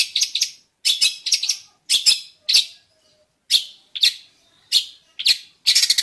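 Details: Jentet bird giving short bursts of bright, scratchy chirps, each burst about half a second long and separated by pauses of roughly half a second.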